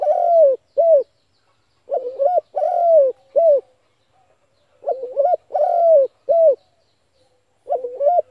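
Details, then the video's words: Lure spotted dove for trapping, cooing in steady phrases: a quavering note, a long downslurred coo and a short final coo, the pattern repeated about every three seconds. "chim cu gáy gọi hay kích bổi mở lên kích mồi gáy liền"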